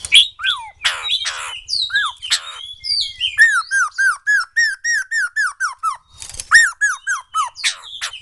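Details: White-crested laughingthrush singing: bright whistled and harsh squawky phrases, then a fast run of rising-falling slurred whistles, roughly three per second, pausing briefly before another burst; faint low hum underneath.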